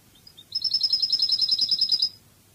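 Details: Cádiz-style Spanish European goldfinch song from a song tape: a few thin introductory notes, then a long rapid silvery trill of repeated high pulses for about one and a half seconds before stopping.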